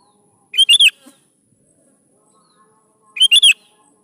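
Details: An active sooty-headed bulbul song meant to prompt young bulbuls to reply: two quick, bright three-note bursts, the first followed by a soft low note, separated by about two and a half seconds of quiet.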